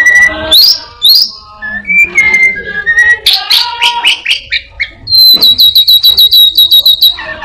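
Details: Captive orange-headed thrush mimicking other birds and a cat: rising whistles, a jumble of chirps and warbles, then a rapid, evenly repeated high trill.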